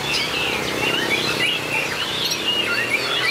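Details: White-rumped shamas in a singing contest. Wavering whistled phrases and slurred notes run fast and continuously over a low humming background.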